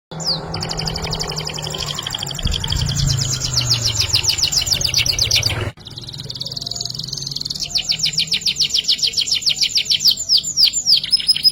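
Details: Canary song in full-fill ngerek style: long, high, buzzy rolling trills of rapidly repeated notes, a brief break, then another extended fast trill ending with a few swooping notes.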